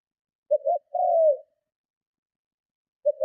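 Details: Spotted dove giving strong cooing meant to lure and provoke other doves: a short double note then a long, slightly falling coo, repeating after a pause; clean, quiet background.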